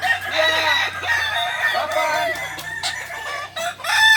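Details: Balenggek roosters crowing at a practice crowing contest in Ampang Kualo, Solok city; several birds overlap in long, harmonic crows with wavering, stepped notes, with a background murmur of spectators.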